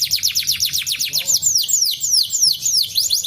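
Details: Domestic canary singing, meant to coax a reluctant canary to sing: quick falling whistled notes in a fast series, slowing into broader downward sweeps, with a faint low hum underneath.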